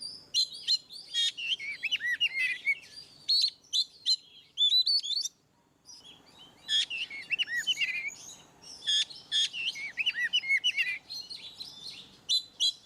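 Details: Oriental magpie-robin singing ngeplong style to coax silent birds: dense tumbling whistles, chirps and slurred notes in two long bursts separated by a brief pause, with soft background hiss.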